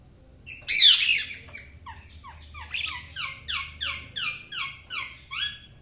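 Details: A budgie opens with a harsh squawk, then gives a run of short, downward-sliding chirps repeated about three times a second.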